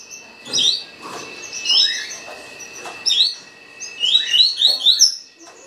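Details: Fast tuí tuí-style song of a green-winged saltator: bright, sliding whistles in short bursts, ending in a rapid string of upslurred notes, with a constant thin background tone.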